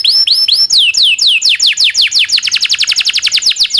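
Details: Domestic canary master song for training canaries: slow rising and falling whistled slurs speed up into a rapid roll of short descending notes, high and clear throughout.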